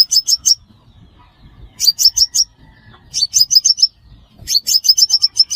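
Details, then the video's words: Sunbird, recorded as a lure for trapping, giving four short bursts of thin, piercing, high chips, four to six notes per burst, about a second apart, with faint low rumble between. "Tiếng chim hút mật 5 màu"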